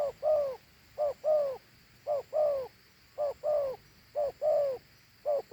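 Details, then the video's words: A large Thổ Hú dove repeats its double coo, a quick short syllable then a fuller, longer falling syllable, six times in a row at about one-second intervals, with little else audible. "Thổ Hú âm gù hay.gù 2 âm gù quá tốt"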